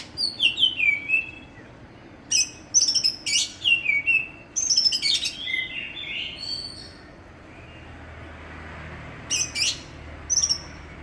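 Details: East Javan Greater green leafbird, a village contest champion from Banyuwangi, pours out a varied run of descending whistles, sharp chips and clustered buzzy notes over about seven seconds, then falls quiet before two final high notes.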